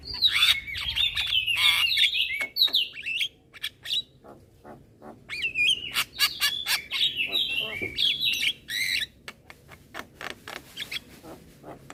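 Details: Long outpouring from a young black-winged myna bobbing its head: fluid whistled warbles and slurred phrases mixed with dry clicks and rattles, a short pause, then another burst of warbling and rapid ticking notes.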